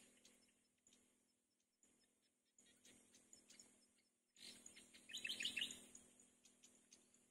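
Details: A lone nestling in the nest, calling for its mother, gives thin, high chirps in uneven bursts of about three a second, peaking in a quick cluster, over a steady low hum.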